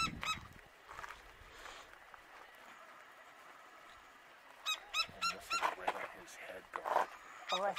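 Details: A male Gila woodpecker at the Arizona Sonora Desert Museum on February 20, calling after pecking at a tree: harsh, nasal, rapidly repeated calls, several per second, in a loud burst after a quieter opening with a few scattered notes.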